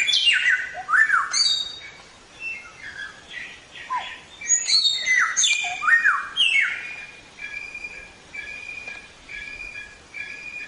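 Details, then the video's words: Training recording of a Samyong for songbirds: varied clear whistles and slurred phrases for about seven seconds, then a series of short level whistled notes repeated about twice a second, fading toward the end. "Suara Burung Samyong | Gacor"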